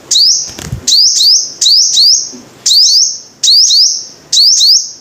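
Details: Sunbird, called five-coloured, repeating high piercing notes, each a quick rising sweep that flattens into a bright held whine, often doubled, in bursts roughly every second, over a quiet background with one soft low thump.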